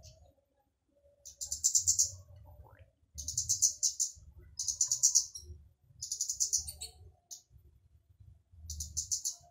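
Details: A flowerpecker gives a loud call used to lure other flowerpeckers into singing: very high, thin bursts of rapid ticking notes, each lasting one to two seconds, repeated every couple of seconds over a faint low rumble.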